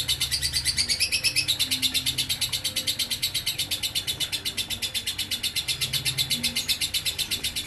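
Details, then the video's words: Lovebird singing 'ngekek konslet' style: a sustained, screechy, high-pitched trill. Its rhythm pulses evenly near three times per second throughout, over a faint low drone. "Burung lovebird ngekek konslet"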